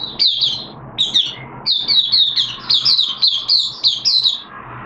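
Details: Caged oriental white-eye, on the second day of a monthly deworming treatment in September 2022, sings bursts of thin, high, sweet twittering phrases broken by short pauses, the notes rising and falling quickly.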